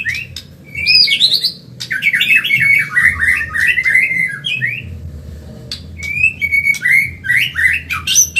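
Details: Caged white-rumped shama of the Medan type singing rapidly for birds being trained. Rich whistled notes jump up and down in quick succession. Several dense phrases are separated by brief pauses, with a faint low hum throughout.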